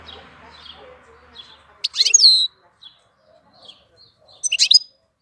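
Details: April song of a European goldfinch: soft high notes, then two loud, dense twittering bursts with a clear falling whistle, spaced over two seconds apart, with sparse quiet chirps around them.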